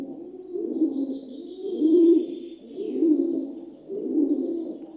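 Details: Gentle cooing of a rock dove (pigeon): four low, throaty coos roughly one per second, each rising and falling smoothly, with a faint higher twitter in the background.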